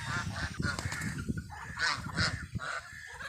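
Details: Geese with their chicks, giving short nasal honks in quick bursts, some higher and brighter, over a steady low rumbling background.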